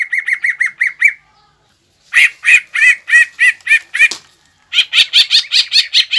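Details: Green leafbird singing fighting-style song meant to provoke another leafbird. A quick run of even chirps and a pause lead to slower, harsh, buzzy notes, then a final fast burst.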